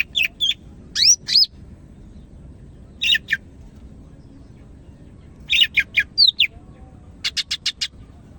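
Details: Greater green leafbird of the Medan type singing actively: short bursts of high whistled, swooping notes separated by pauses, ending in a quick series of five sharp repeated chips.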